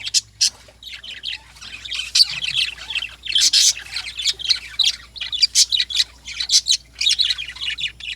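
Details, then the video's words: Lovebirds calling in the morning, close and loud: repeated piercing squeaks and scratchy squawks in rapid, overlapping bursts from several birds, with little other background sound. "Lovebirds || Morning Sounds"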